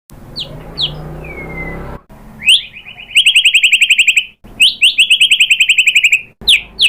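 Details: White-rumped shama song used as a lure to provoke another shama into singing: a falling whistle, then loud bursts of rapid, evenly repeated sharp notes on one pitch, separated by short silent gaps.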